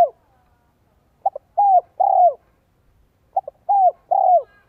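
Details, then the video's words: Decoy spotted dove cooing in the 'giọng son 1 cốt lỡ' style to entice wild doves: two evenly spaced phrases, each with a quick double note, a falling whistled coo and a longer rough, wavering coo. No other sounds. "CHIM CU GÁY GIỌNG SON 1 CỐT LỠ KÍCH BỔI"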